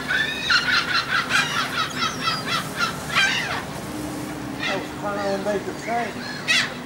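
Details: Seagulls being fed on board a ferry from the Dutch island of Texel, 28 March 2014: a rapid series of harsh, harmonic calls in the first seconds, then scattered shorter cries over a steady low engine hum.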